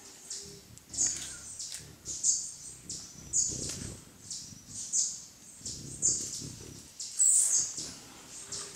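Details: Velvet-purple coronet recorded in Mindo, Ecuador, on 22 July 2017 at 15:00 using a Sony Alpha A3000: steady high-pitched chips repeated about once a second, with soft low rumbling and faint background sounds beneath.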